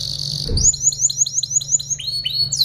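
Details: Canary song used to tutor other birds: a steady whistled tone, then a quick series of short upward-flicking notes, ending in rising slurred whistles; low steady hum in the background.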